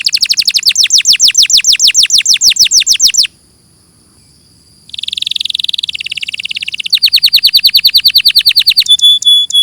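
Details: Canary song in a clear recording: a fast trill of falling sweeps, a short pause, then a buzzy rolling phrase, another rapid trill, and a pulsed metallic tone at the end.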